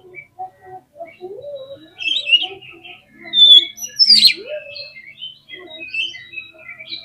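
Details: Oriental magpie-robin singing agitatedly to provoke other birds: scattered medium-loud phrases of whistled slurs and chirps at varying pitch, including a few lower upslurred whistles, with short pauses between.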